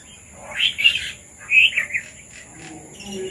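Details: Red-vented bulbuls (Pycnonotus cafer) that came to eat papaya give calls: two bursts of bright, bubbly chirps about a second apart, over a faint steady high hum.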